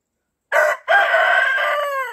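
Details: Rooster kept with laying hens in a coop, crowing back to challenge distant roosters: one loud, harsh cock-a-doodle-doo with a brief opening note, a short break, then a long sustained tone.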